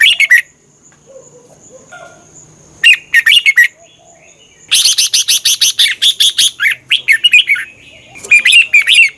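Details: Red-whiskered bulbul singing, a recording meant for training caged birds or getting them excited: several bursts of quick whistled notes, including a long run of rapid repeated chirps, with gaps of silence between phrases.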